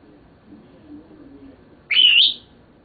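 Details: Seven-year-old male Senegal parrot kept as a pet; after a quiet stretch of faint low murmuring, one loud, short, bright squawk-like note with a slightly wavering pitch lasts about half a second near the end.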